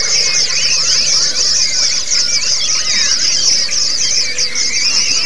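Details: Therapy audio to get pleci (white-eyes) singing with ngalas and ngerol: a dense chorus of quick, high twittering notes and rolling, bending trills tumbling over one another without pause, above a steady hiss.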